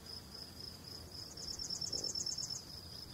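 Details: Yellowhammer (Emberiza citrinella) singing in Val Veddasca, Italy: a quick, high run of about a dozen identical ticking notes lasting just over a second, over a steady insect-like whine.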